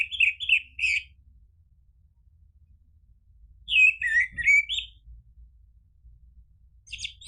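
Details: Orange-headed thrush in a lure recording for caged birds, meant to provoke replies and long 'ngeplong' singing: a burst of rich, warbled phrases over the first second, then another rolling, twisting phrase near four seconds, with faint low hum beneath.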